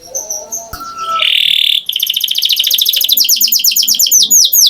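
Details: Soft whistled notes and a low tone lead into a canary's song: a sustained buzzy note followed by a long, high, rapid trill of sweeping whistles growing louder.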